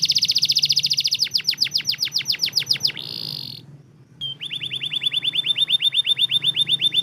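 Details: Canary singing used as a lure for lazy canaries: a fast high rattle becoming descending whistled sweeps, a buzzy tone, brief silence, then a long run of quick curved rising notes.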